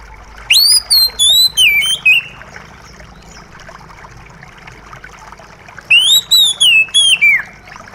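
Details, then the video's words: Oriental magpie-robin song over trickling water, used as therapy for a stressed bird that has stopped singing: two bursts of loud, clear whistled notes, rising and falling, about five seconds apart. "Terapi Kacer Macet Bunyi + gemericik Air!"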